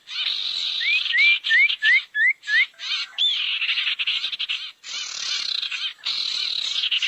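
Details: Barn owl lure call used to gather owls: long harsh, hissing screeches fill the clip, broken by short gaps, with a run of brief rising whistled notes repeated about every third of a second near the start.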